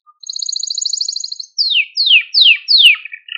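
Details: Male Maltese canary song for stimulating other canaries and teaching young birds: an even high trill lasting over a second, followed by four clear downward-sweeping whistled notes in quick succession.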